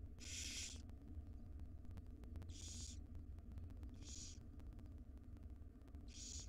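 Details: Five wild barn owl chicks in a nest box, fed by their mother at breakfast; four rough hissing screeches, each about half a second long, recurring every one to two seconds over a background hum.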